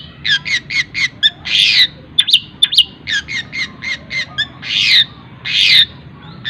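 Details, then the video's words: Long-tailed shrike singing mimicked calls for teaching other songbirds: repeated short harsh chattering notes in quick series broken by louder rasping squawks. "CENDET ISIAN TENGKEK BUTO SPEED RAPAT SAMBUNG GREJA SAMBUNG KUNTI"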